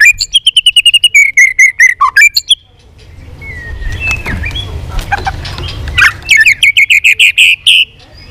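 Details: White-rumped shama in competitive song: a quick trilled run of whistled notes ending in a low note, a quieter stretch of faint notes and background noise, then another loud rapid trill.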